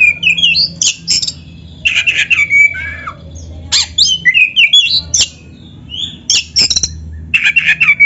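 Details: Black-throated magpie-robin (kacer dada hitam) giving a full master song with canary-style fill-ins, meant as a lure for other birds: rich, fast-changing whistles, slurs and sharp clicks in quick bursts, with a low hum underneath.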